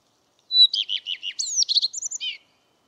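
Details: Common redstart song phrase: a thin held whistle, then a series of repeated rolling double notes, followed by a higher jumbled, squeaky flourish that drops at the end. Clean background.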